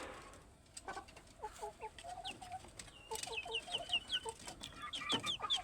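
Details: Chickens make paired low clucks, then a fast run of bright descending peeps, about two or three per second, with a few sharp taps.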